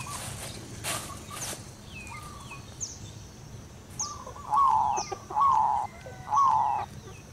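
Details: Local female zebra dove calling to its mate: soft, slightly trilled cooing notes, three louder ones in a row near the end, with faint higher chirps of other birds and steady background hiss.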